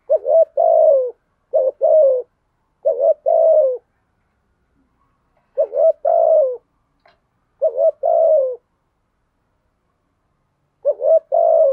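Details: Spotted dove urging a fight with its thổ-voice fighting coo: six low phrases, some in quick succession and others after pauses, each a wavering note plus a drawn-out falling coo. A faint click is heard between them.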